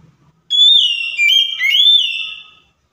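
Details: Oriental magpie-robin song played as a lure to provoke silent, stalled magpie-robins into answering: one loud, pure whistled phrase about two seconds long, sliding and wavering, dipping then rising again, against a quiet background.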